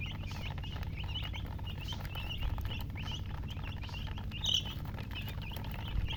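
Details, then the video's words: Baby chicks chirp steadily, thin high twisting peeps in quick succession, with one louder sharp peep standing out near the end and a low rumbling hum underneath. "Baby "Chicks Chirping" Sound"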